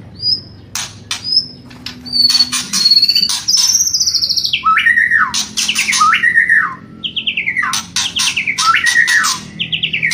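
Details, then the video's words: Kretekan and whistling from a white-rumped shama: high clear whistles sliding upward, then a string of loud notes sweeping down and up in looping phrases, interspersed with harsh crackling bursts. "MURAI BATU... KRETEKAN & SIULAN"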